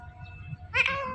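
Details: Indian ringneck parakeet talking: after soft low murmuring, a loud, nasal, harmonic word-like phrase bursts out and holds steady for about half a second, with human-like voiced tone in a quiet indoor setting.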